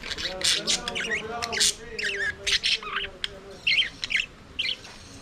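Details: Aviary budgerigars singing and playing: harsh scratchy squawks and clicks mixed with wavering, whistled warbles and chirps, delivered in uneven bursts, with a faint low hum underneath.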